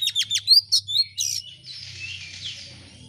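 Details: Oriental magpie-robin song used as a lure: a quick series of sharp high chips and whistles, then a soft hissing, scratchy passage over a low background hum.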